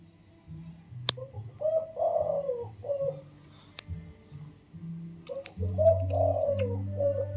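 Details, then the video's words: Spotted dove taken from the wild and caged 16 days, crowing softly in the single-note 'toss' style: two gentle hooting phrases of several coos each, with a faint steady high tone, low hum and occasional clicks. "คลิปเสียงนกป่า อายุกรง 16วัน มาให้ชม ขันโยนกุกเดียวเต็ม เสียงเพราะ เสียงนุ่ม ฟังแลัวสบายหู"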